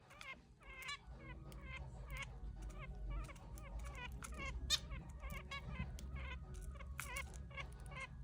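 Zebra finches give rapid nasal, buzzy beeps and chirps over a low background hum.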